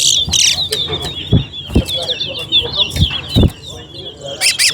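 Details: Caged chestnut-bellied seed finches (towa towa) in a singing race at Alligator Park, competing birds named Drakes and Blackbull; rapid warbled whistles around a steady high pitch run throughout, broken by loud thumps and clicks, with men's voices and counting.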